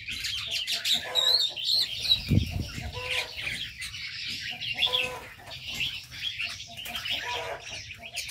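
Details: Aviary birds chattering: dense high twittering and thin whistles overlay short low clucking bursts, with one dull thump partway through and soft rustling throughout.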